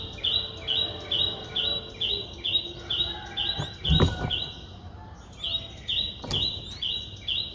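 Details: A 4-day-old Streak-eared Bulbul nestling calls in Ubon Ratchathani, Thailand, on 6 April 2023. Its high notes repeat about twice a second, interrupted by two sharp clicks or knocks before the notes pick up again.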